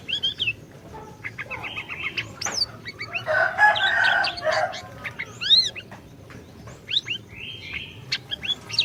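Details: Lively Orange-bellied leafbird song, played to coax a silent bird to sing: whistled upslurs and buzzy notes, a dense harsh burst in the middle, then looping rising whistles and sharp chips.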